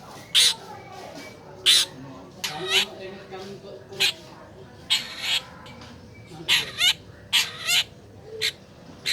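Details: Long-tailed shrike song, played as a lure for a caged bird that is slow to sing, made of loud harsh rasping bursts spaced about a second apart, some with quick wavering whistles, over a low background hum.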